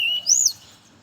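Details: Morning song of a brown-chested jungle flycatcher, used to lure others of its kind: one short high whistle rising and then falling, ending in quiet.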